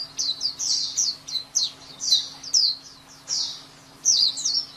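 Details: White-eye song as a lively, continuous run of high, twittering slurred notes in quick phrases, each swooping downward, over a faint constant low hum.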